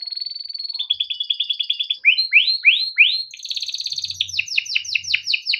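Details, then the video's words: Caged male canary from Indonesia singing a tutoring song for young canaries: a level trilled phrase, a run of four rising swept whistles, then a buzzy roll and repeated falling notes, with faint low hum. "Suara Kenari GACOR PANJANG untuk pancingan kenari paud || masteran kenari || yellow canary singing"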